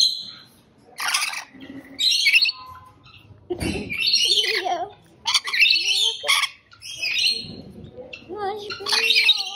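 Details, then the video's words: Dense harsh squawking of rainbow lorikeet, many rough screeches in quick succession mixed with some squeaky whistled notes and a brief low rumbling sound midway. "Rainbow Lorikeet Bird Sound"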